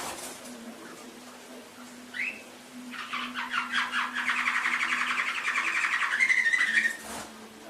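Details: Canary song from an Indonesian masteran recording for conditioning pet canaries: a quiet start, a single rising note, then a sustained rolling trill of quick pulses building in loudness, ending in a bright sliding whistle.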